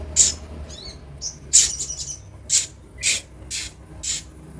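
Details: Van Hasselt's sunbird (kolibri ninja), sound meant to prompt newly acquired caged birds to sing; sharp, very high chips at an uneven pace of roughly one every half second, with a brief buzzy trill between them.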